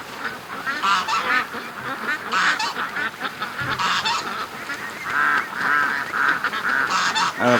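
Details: Morning rush of many ducks heading from their pen to the creek after a delayed release. Bursts of loud, rasping quacks in clustered volleys, separated by brief lulls, with a few longer strained calls near the end.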